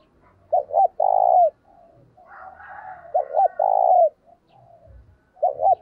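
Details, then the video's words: Spotted dove calling eagerly to lure other doves: repeated phrases of two clipped notes and a long drawn-out coo, about two seconds apart, with a softer answering dove and faint knocking. "Chim cu gáy gọi hay kích bổi và tập mồi kèm giọng thúc rất sung"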